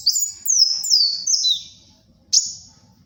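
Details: Kolibri wulung sunbird, singing actively, for luring and tutoring birds: a run of high, thin descending slurred notes linked together, then a short pause and one sharp rising-falling note.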